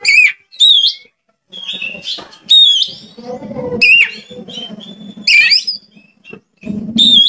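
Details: Kacer, the oriental magpie-robin, singing as a lure to excite other kacer: bright whistled notes and quick slurred phrases in bursts, with a steady low humming and chattering bed beneath and brief silent gaps.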